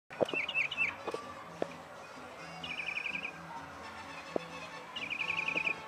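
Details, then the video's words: Mockingbird singing on a roof gives a varied song: a burst of mixed chirps, then two rapid, fast-pulsed trills about two seconds apart, with soft clicks and a faint low hum. "Bird Singing / Ave Cantando"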